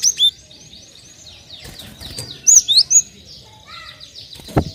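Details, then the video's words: Gelatik batu, the cinereous tit, giving a lure call to prompt other birds to sing: paired high whistles at the start, then three ringing whistled notes midway, with faint twittering and a sharp knock near the end. "PANCINGAN BURUNG GELATIK BATU"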